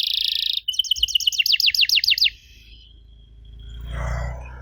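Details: Canary song played to provoke young canaries into answering: a sustained high rolling tone, then a rhythmic run of sharp sweeping notes, fading into a low rumbling background noise.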